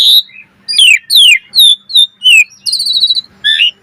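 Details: Asian pied starling singing in the pumping gacor style, full of variation: a quick string of high, clear whistles, several sweeping downward, plus a rapid trilled passage, with brief pauses between phrases.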